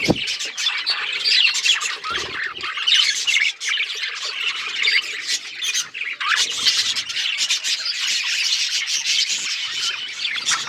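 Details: Several budgies chatter loudly, a harsh squawky warble packed with fast chirps and clicks that runs throughout with only momentary breaks.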